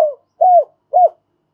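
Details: Spotted dove kept as a lure, calling to bring in wild doves: three low, arched coo notes, the middle one longest, evenly spaced within about a second.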